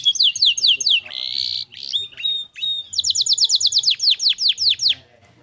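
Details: Clear canary song used as a training recording: repeated descending whistled slurs, a buzzy note, then a long series of quick falling notes gradually slowing.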